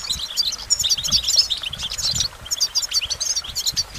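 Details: Goldfinch singing dense, bright twittering phrases of quick chirps and trills, with a brief lull near the middle before it resumes.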